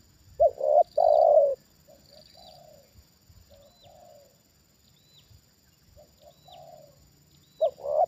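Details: Trained spotted dove reacts to a wild bird lured down for the second time. A loud burry coo phrase opens, followed by several short, softer paired coos, and a new loud coo begins at the end.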